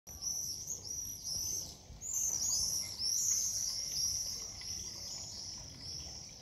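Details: Swifts in Meissen on 29 June 2023, many birds flying around the town's squares and hotels. They give shrill, high screams in overlapping bursts, some rising and falling, with several birds calling at once over a soft background hum.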